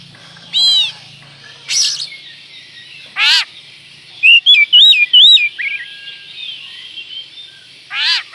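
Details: Oriental magpie-robin delivering a provoking lure song: harsh buzzy rasps spaced a second or more apart frame a fast string of about five looping, bouncing whistles, then a final rasp.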